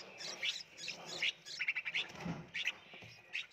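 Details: Red-whiskered bulbul chicks being hand-fed in a nursery box, Phetchaburi, Thailand: an uneven burst of high chirps and quick trills from several young birds, with soft low clatter in the background.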